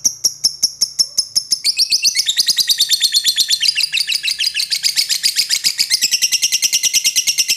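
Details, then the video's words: Lovebird calling out to an opponent: a run of evenly spaced sharp high chips speeds up into a dense, continuous shrill chatter that fills the last six seconds. "the sound of lovebird birds long choking lovebirds calls out to the opponent"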